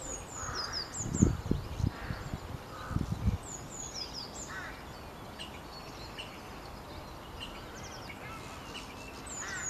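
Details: Common starling singing in Bishopbriggs Park on 9.3.20: a run of high, thin whistles and slurred notes with a few lower mid-pitched phrases, over steady background hum and some low thumping handling noise near the start.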